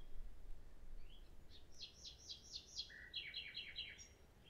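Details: Common nightingale singing a string of five or six loud, repeated downslurred chirps, then a lower buzzy note and another quick series of similar repeated chirps, over faint low background noise.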